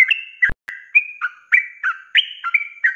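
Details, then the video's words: Rapid 'ropelan' song of a sooty-headed bulbul (trucuk), singing actively for use as a cage-bird training recording: clear whistled notes alternating higher and lower in a quick unbroken run, interrupted once by a sharp click and a moment of silence. "SUARA ROPELAN BURUNG TRUCUK GACOR||COCOK BUAT MASTERAN"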